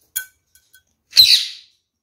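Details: Male kakariki parakeet, one of a captive pair, giving a brief harsh chattering squawk after a faint earlier note, with quiet ticks between.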